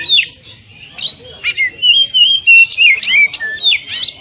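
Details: Oriental magpie-robin training song for caged birds in the dense 'tembakan rapat' style: quick runs of whistled slurred notes and harsh squawky bursts, rising and falling, tightly packed with brief gaps.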